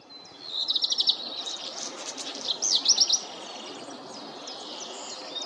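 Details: Black redstart singing high, thin whistled notes with two short bursts of dry, crackling rattle about two seconds apart, over soft, steady background noise.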